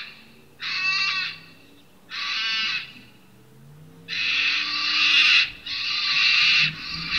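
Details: Sulphur-crested cockatoo at St Lukes Church, Gray, Palmerston, near Darwin, Northern Territory, Australia, gives harsh, grating screeches: two short squawks about a second apart, then longer, rasping drawn-out shrieks.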